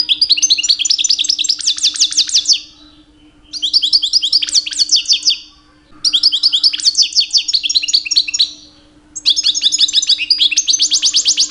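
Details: Captive two-year-old European goldfinch in breeding-season song meant to draw females, delivered in four bursts of rapid liquid twittering and buzzy trills of two to three seconds each, separated by brief silences, with a low constant hum behind.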